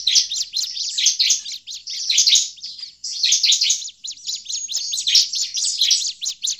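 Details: Bar-winged prinia giving agitated, noisy calls, used as a lure for catching this bird in forest; dense rapid bursts of high, scratchy chirps repeated almost continuously with brief pauses.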